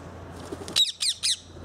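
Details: Three loud, grating squawks from a ring-necked parakeet in England, each short and harsh, delivered in quick succession under a quarter second apart after a soft murmur of background noise.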